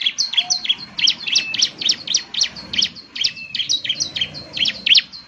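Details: Bar-winged prinia delivering a jumbled stream of high, sharp chirps and buzzy notes, closely packed and uneven in rhythm, with a short lower whistle near the middle.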